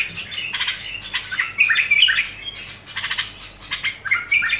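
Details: Bulbul pouring out nonstop song, a jumble of harsh squeaks and clear fluting warbles in quick succession, loudest near the middle, with a quiet steady hum.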